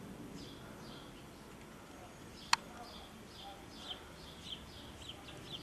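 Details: Common swifts (Apus apus) recorded in Soest on 5 July 2009 give repeated high, buzzy, descending screams across the clip; one sharp click midway and a soft low rumble beneath.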